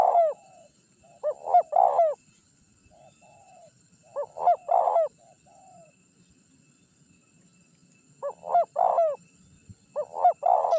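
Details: First-place gacor Spotted dove singing as bait to call wild rivals; four well-spaced coo phrases, each two short throaty notes and a longer rolling coo, separated by soft quiet notes and a faint constant whine.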